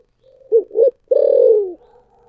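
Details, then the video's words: Single cooing phrase of a spotted dove in the thổ sấm voice style: two brief low hooted notes, a short pause, then a sustained deep coo sliding slightly downward before fading. Quiet background. "cu gáy giọng thổ sấm thúc gù"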